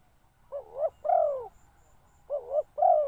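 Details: Spotted dove serving as a decoy to attract wild birds gives two paired coos, a quick rising note then a longer, rounded, falling coo, over a faint low rumble.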